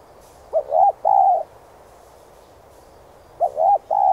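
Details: Spotted dove cooing in an urging style to rouse decoy birds. Two three-part phrases about three seconds apart, each a short lead note, an arched note and a longer even coo.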